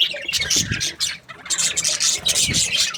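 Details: Several budgerigars kept as breeding pairs chirp contentedly, rapid overlapping squeaks and rasps with a short lull partway through and a few low bumps beneath the chatter.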